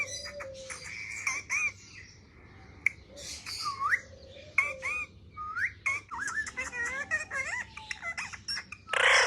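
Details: Indoor pet parrot playing with a mobile phone, giving squawks and looping whistled calls that swoop up and down, scattered clicks and taps between, ending in a harsh burst of noise.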